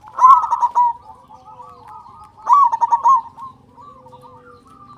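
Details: Local zebra dove with a strong voice that sings often, played to stimulate other doves to sing. Two bold phrases, each a rising opening note and then fast pulsed cooing, are separated by quieter rolling coos from nearby doves.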